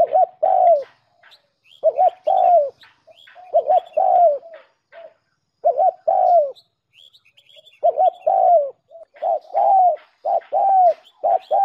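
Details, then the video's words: Lure call of the spotted dove, used to attract doves and prompt cooing; repeated phrases of paired short notes and a falling coo, about every two seconds, over busy faint chirping of other birds. "Tiếng cu mồi đỉnh nhất 2019"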